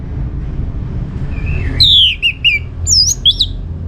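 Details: Orange-headed thrush, singing continuously as a lure for other birds: a quiet wavering whistle leading into loud, clear downward-slurred whistles and looping high notes, with a low hum behind.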